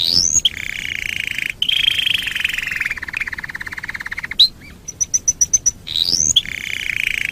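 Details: Canary song meant as a master recording to train other birds: long harsh buzzy rolls and a fast rattling trill, broken by upward whistled sweeps and a short run of high clicking ticks.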